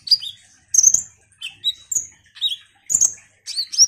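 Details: An energetic ruby-cheeked sunbird, or konin, sings a lure song for rousing other birds, giving sharp high squeaks and falling whistled notes, each set apart by short gaps, in a clean quiet recording.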